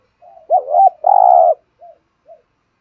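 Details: Spotted dove cooing, used to get even shy wild birds to coo: a doubled wavering coo, a long burry vibrating note, then two soft short coos trailing off.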